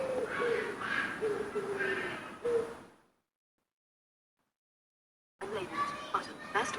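Low, soft hooting coos from a wood pigeon in a short repeated phrase, with a person talking over it and more speech after a brief pause.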